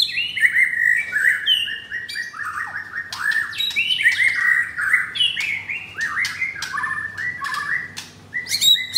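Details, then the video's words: Pied F4 White-rumped shama in a Jakarta cage with coarse 'materi kasar' song material. It pours out a steady stream of whistled downslurs and chirps, interspersed with sharp clicks and brief gaps. "Murai Batu F4 Blorok Materi Kasar"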